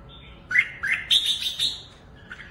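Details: Red-whiskered bulbul singing in a lively, dominant style while hopping on its perch and flaring its wings: a short burst of bright chirpy notes climbing from a mid whistle to higher sharp phrases, then a faint final note.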